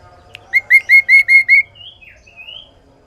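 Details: Sooty-headed bulbul singing loudly and clearly, used to lure and tutor other birds: six quick, evenly spaced clear notes of steady pitch with rich overtones, followed by a few fainter rising whistled notes, against a quiet low hum.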